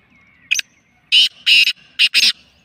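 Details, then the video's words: Black francolin (kala teetar), call labelled mastya: a short clipped double note, then loud harsh rasping notes, two drawn-out and a quick closing pair, all within about two seconds over a quiet background. "Black Francolin kala Teetar ki Awaaz or Mastya"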